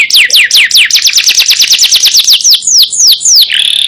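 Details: Canary, yellow and in vigorous song for training other songbirds: crisp downslurred notes accelerate into a rapid, even trill, then slow again to looping whistles and a sustained buzzy tone.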